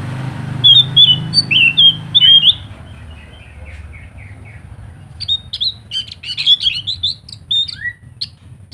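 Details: Energetic scaly thrush song used to draw other thrushes into singing: quick high chirped and whistled notes in two bursts, separated by a quieter stretch of faint descending notes, with a low background hum.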